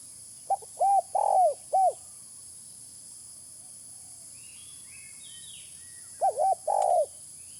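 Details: Spotted dove calling as a lure: a phrase of a short note and three low, bowed coos, a pause with faint high twittering birds, then a second phrase of two quick coos and a longer, sustained one.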